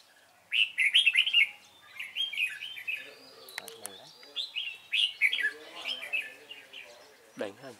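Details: Red-whiskered bulbul of the Cánh ruồi type, trapped on 3 March 2017, gives loud rapid chirping phrases, bright warbled notes in quick runs with short pauses, plus a few clicks and a low thump near the end.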